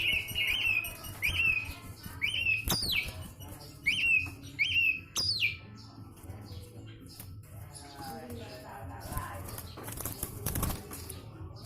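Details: Javan pied starling, isian sekebon kacang style: a row of repeated wavering whistled phrases with sharp upslurs, fading after a few seconds into quieter background noise and faint sounds.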